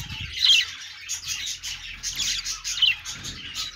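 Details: Budgie noises: high, scratchy twittering in pulsing bursts, with a couple of bright squeaky whistles standing out above the steady chatter.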